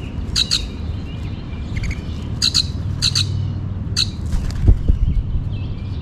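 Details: Grackles at a backyard bird feeder give harsh, squeaky calls in short doubled bursts about every second or so, over a steady low rumble of background noise.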